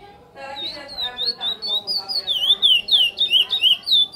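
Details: Curió, the chestnut-bellied seed finch, delivering a praia-style song. It starts softly, then builds into loud, looping whistles that rise and fall in quick succession, roughly three phrases a second, with faint background hum.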